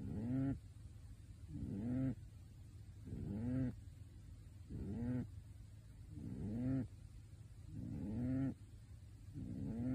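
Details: Pet pigeon in a bird suit, fallen asleep and snoring steadily. Seven low, wheezy, rising snores come at regular intervals of roughly one and a half seconds over a constant low hum.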